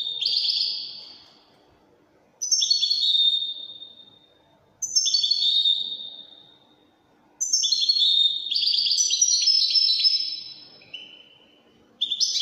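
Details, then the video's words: Widani goldfinch song in repeated phrases about every two and a half seconds: descending tinkling trills separated by short silences, building into a longer chattering, jingling sequence near the end. "تغريد طائر الحسون الويداني chant de chardonnere"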